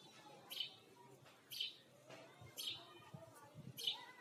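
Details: Sparrow giving short high chirps roughly every second, faint and slightly uneven, with low murmuring background noise.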